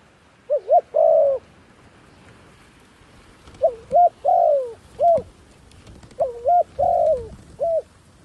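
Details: Decoy dove luring wild doves with three cooing phrases separated by pauses, each of quick double hoots, a long mellow coo and a short closing hoot, with a few faint clicks.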